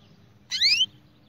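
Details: Spanish Timbrado canary singing for song training: a single brief bright doubled whistle sweeping upward, over a low steady hum.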